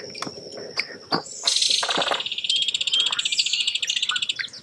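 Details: A Belted Kingfisher lands and chatters, heard from a kayak: after a few sharp knocks and a burst of noise, a loud, fast, dry rattle of evenly repeated high clicking notes runs for about two seconds.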